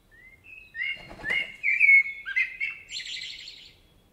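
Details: In a forest in Spain, a common blackbird delivers a loud, fluting phrase of mellow whistled notes, then ends in a thin, high twittering flourish, with a soft rustle partway through and little else heard.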